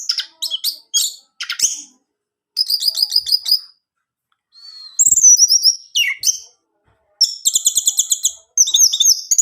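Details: Orange-headed thrush in full varied song, played so a kept male will answer: fast trilled chirps, rattling buzzy bursts, high sliding whistles and rapid repeated notes, in busy phrases.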